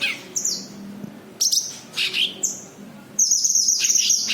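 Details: High thin chirps and a sliding whistle from a cucak kinoi white-eye, a lure for other birds, ending in a dense, fast, sustained high trill over a low background hum.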